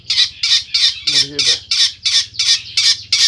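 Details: Long-tailed shrike from Pemalang, Central Java, giving harsh, scratchy squawks repeated about three times a second in an even rhythm, part of its isian sekebon song, with a brief lower nasal note partway through.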